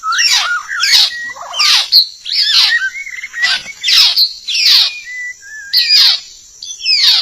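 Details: Trapping lure of a white-rumped shama: loud, rasping, downward-sweeping bursts repeated about once a second, with short clear whistles slipped between them and a steady high background hiss.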